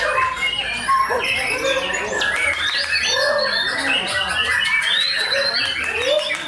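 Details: Champion white-rumped shama singing a rich, varied run of clear whistled phrases, sliding and warbling notes with quick chattering bits, delivered continuously over a busy background of other overlapping chirps and voices.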